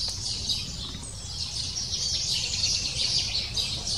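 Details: Chick of lesser spotted woodpecker begging in its nest as parents bring food; excited, high thin calls chatter rapidly and swell in loudness toward the end, with low background noise.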